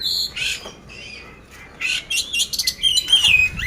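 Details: Poci oriental magpie-robin kept caged in Magelang, Central Java, said to be ready to compete, with coarse-fill song: harsh buzzy bursts and rattles, then high twisting whistled phrases toward the close.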